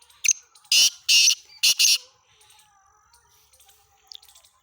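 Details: Black francolin (kala teetar), dated 17 February 2023, gives a loud scratchy phrase, a clipped first note then three rasping notes within about two seconds, with soft background bird chirps afterward.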